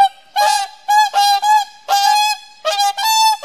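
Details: A bonded pair of whooper swans trade loud, bugling, trumpet-like honks of steady pitch, about eight in three seconds. No other sounds stand out.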